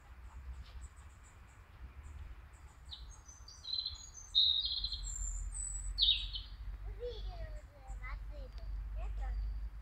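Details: A European robin at a city street intersection in Kharkiv, Ukraine, sings thin, high, sparkling phrases that fall and warble, with lower wavering notes toward the end, over a steady low rumble of background noise.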